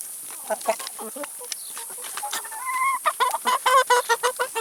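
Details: Feeding chickens with salad and vegetables: scattered soft pecking and low clucks at first, then a brief rising tonal call and a burst of louder rhythmic clucks near the end.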